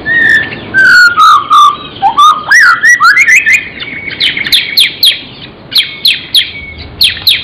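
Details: Murai, an Indonesian songbird kept as a pet, in lively song with mimicked fill-ins. Warbled whistles and high chirps run together rapidly, then give way to sharp, spaced chirps that keep repeating.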